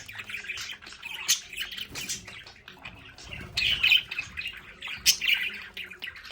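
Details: Budgerigars kept at home in a play area, producing a steady stream of high, twittering, buzzy warbles and chirps that swell into louder squawky bursts mid-way.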